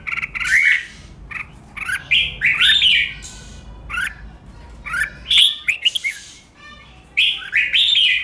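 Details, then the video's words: Red-whiskered bulbul song used to spur competitive singing: short bright whistled phrases with rising and falling notes, delivered in bursts separated by brief pauses, with a faint low hum in the background. "Chào Mào Kích Bổi Lên Lửa!.. Luyện Chào Mào Hót Đấu Căng. Thúc Chim Sổ Giọng"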